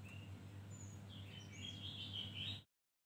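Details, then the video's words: A Javan grey-throated white-eye twitters (ngriwik) in a quick run of high, thin chirps and slurred notes, over a steady low mechanical hum. "Opior Jawa ngeriwik Full isian"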